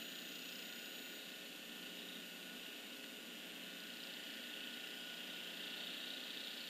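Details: Steady hiss with a constant low electrical hum throughout and no calls.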